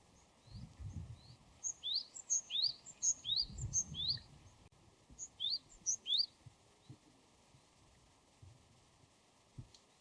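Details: Wild Japanese tit singing: a series of high, thin, rising whistled notes in quick pairs, about eight in a row, then a shorter burst of three after a brief gap, over a steady low background hum.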